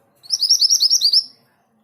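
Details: Orange minivet (sepah hutan, mantenan gunung) in lively song: a tight sequence of about nine high, upward-sweeping whistled notes lasting roughly one second, with a faint low chirp nearby.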